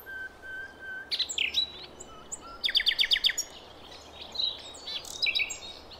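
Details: Wild forest bird from Java, a female calling the male, used as a lure for young birds: a long whistled note, then bright chirps, a fast burst of about eight repeated sharp notes, and further high whistles and trills over faint background hiss.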